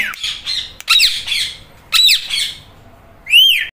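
An Indian ringneck parakeet gives harsh, squawky "meow"-like calls, three bursts about a second apart, ending in a clearer rising-falling whistled note.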